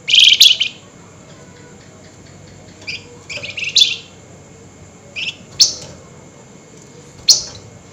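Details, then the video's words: Flameback at night, excited: a harsh chattering burst at the start, then scattered sharp, high notes and short rasping bits spread irregularly over several seconds, over a steady low hum. "Tembakan Burung FLAMBOYAN GACOR Nyerecet Emosi Tinggi DiMalam Hari"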